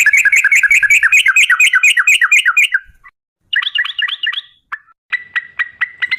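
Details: Yellow-vented bulbul lure song in the long rolling 'ropel panjang' manner: nearly three seconds of very rapid, regular chirping trill, a gap, a quicker bright rattle, then sparse sharp single notes repeated about every quarter second.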